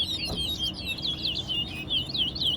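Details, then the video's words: Towa towa (large-billed seed finch) at a singing competition, Guyana National Stadium, Guyana: quick repeated whistled slurs, each swooping down and up, delivered in a steady rush, with a person counting aloud and faint crowd noise. "Towa Towa Bird Competition"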